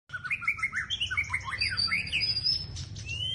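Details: White-rumped shama singing in a lively run of short whistled and slurred phrases, some rising and some falling, ending in long, thin, high, steady whistles, with a low hum underneath.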